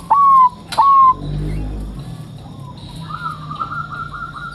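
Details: Bangkok zebra dove in a cage, singing to prompt other doves to call, utters two loud, clear coos with sharp onsets; fainter sustained cooing and low rumbling noise follow.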